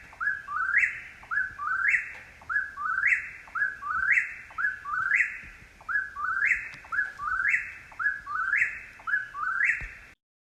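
An Eastern Whip-poor-will sings its whistled three-part 'whip-poor-will' about once a second, with the last note rising sharply. There are no other clear sounds.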